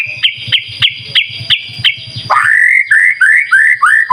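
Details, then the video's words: White-rumped shama song for luring, with repeated harsh notes about three a second, then a series of clear upswept whistles, over a low rhythmic thump. "Pancingan Murai Batu Gacor, Sangat Ampuh buat Segala Jenis Burung, Pasti Nyaut Seketika"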